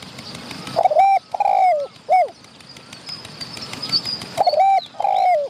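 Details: Wild spotted dove calling back to a decoy, having come to chase and fight other wild doves close by: a phrase of three soft coos ending in a downslurred note, a pause of about two seconds, then two more coos, the second falling; faint high chirps behind.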